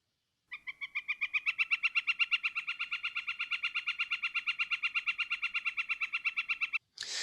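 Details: A Northern Flicker, which nests in New York City parks, gives a long, rapid run of loud, ringing, evenly spaced kek notes lasting about six seconds. A brief burst of noise follows at the end.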